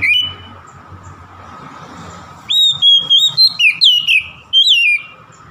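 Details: Song of an oriental magpie-robin meant to stir a rival: a single whistle, two seconds of low noisy background, then a lively burst of clipped whistles with swooping falling and rising slurs.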